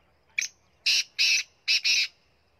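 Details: Black francolin (kala teetar) from Punjab, calling: a short harsh opening note, then two pairs of loud, grating, buzzy notes delivered over about one and a half seconds, with a quiet background.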